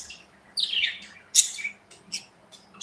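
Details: Indoor aviary of pet budgerigars; a scratchy falling warble opens, followed by sharp high chirps and brief tweets spaced irregularly across a quiet background.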